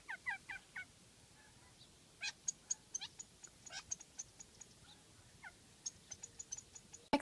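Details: Gambel's quail, unseen while retreating, give sharp, high alarm calls in quick irregular bursts, some short and clipped, others in rapid runs, ending with a loud knock.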